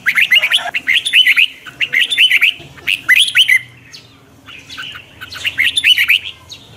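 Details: Red-whiskered bulbul singing in morning training to build its voice, described as twisting and very fine; bursts of bright warbled, looping whistled notes arrive in phrases of about a second, separated by short pauses.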